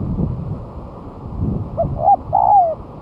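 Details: Spotted dove singing strongly, used as a lure, tried on the ground after a month of moulting: a short soft coo, a second rising coo, then a longer drawn-out coo sliding downward, over low rumbling background noise.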